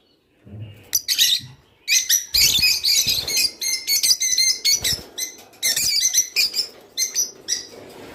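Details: Rice finch song meant to trigger breeding in captive birds: a long run of high, rapid chattering chirps and buzzy trills in rhythmic pulses, with short breaks and faint low rustling.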